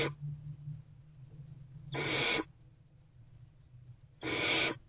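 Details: Hungry barn owl chicks calling from an owl box at 6 pm, 3 March 2024, as they wait for their mother: two drawn-out noisy screeching hisses about two seconds apart, separated by quiet hum.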